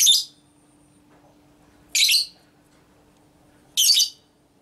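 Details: Lovebird ngekek, a female's long-drawn song used as training material to provoke other lovebirds to sing. Three loud, harsh, shrill bursts, each about a third of a second, come roughly every two seconds over a faint steady hum.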